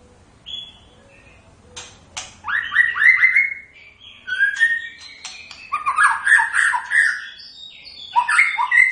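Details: White-rumped shama song: after a quiet start, a burst of rising whistled notes, then varied rich phrases with sharp clicks and high tinkling notes, continuing energetically to the end.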